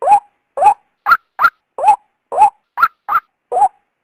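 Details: {'caption': 'Female white-breasted waterhen calling to tempt a male out. Coarse, upslurred low notes alternate with sharper high pairs, about ten notes in four seconds, on a silent background.'}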